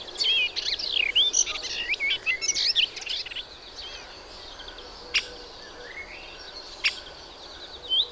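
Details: Melodious warbler: a rapid jumbled warbling phrase of mixed whistles and chatters for about three seconds, followed by quieter scattered notes and a few sharp clicks.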